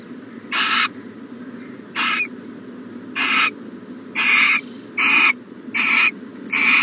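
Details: Morning owl calls from a nest box on 1-14-20: rough, hissy screeches roughly every second, getting closer together toward the end, with a constant low background hum.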